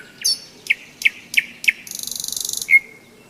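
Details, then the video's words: Nightingale in full May song at a hiking stop by the Seversky Donets in thunderstorm season: spaced, loud, sharp notes lead into a rapid rattling trill, closing with a clear, drawn-out whistle. "Майская трель соловья"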